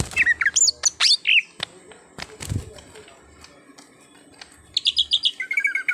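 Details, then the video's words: Greater green leafbird (cucak hijau), a raw bird being brought into gacor, nonstop singing: bursts of high whistled, sweeping notes open and close the recording, with a quiet stretch of faint clicks and knocks between. "Pandai Membuat Cucak Hijau Bahan jadi Gacor"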